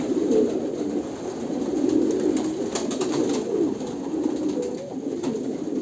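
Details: Overlapping deep coos from many Kolkata pigeons roll on steadily, with a few brief wing flutters and taps heard over the low chorus.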